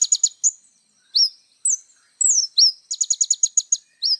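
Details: Little spiderhunter singing varied full-isian gacor song for tutoring youngsters: high sharp chips, slurred falling and rising whistles, then a quick run of clipped repeated notes.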